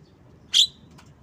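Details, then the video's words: Asian pied starling, one loud harsh chirp followed by a faint softer click, high-pitched and abrupt, in a quiet setting. "Bird Song Jalak kebo"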